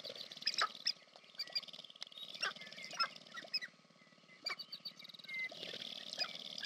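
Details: Sharp-tailed grouse at a courtship display on the American Prairie Reserve, Montana, USA: bursts of hoarse cooing and clucking with sharp, squeaky notes, several birds overlapping and pausing between bursts.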